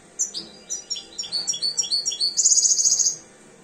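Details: European goldfinch, two years old and beginning to come into breeding condition, sings a clear run of quick sweet notes that ends in a bright, buzzy, rapidly repeated high trill lasting under a second.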